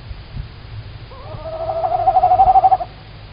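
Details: Female tawny owl calling very close on the evening of 9 March 2019 at 19:16 in Estonia, captured from a live stream: one drawn-out hoot, wavering as it rises, then held steady with a rapid quavering pulse for under two seconds over low rumble.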